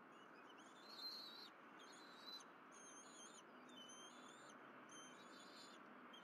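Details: Bald eagles at the Berry College nest on a morning of fish deliveries and shared feeding, 12 April 2023: several high, clear whistled notes in short bursts, some slurred, above a steady rushing background noise.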